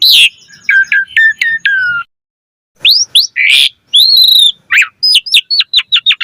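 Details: Asian pied starling in full song to stimulate others: a harsh opening note, a clipped series of five whistled phrases, a brief pause, then rising squeals and a rapid string of sharp upslurred chips.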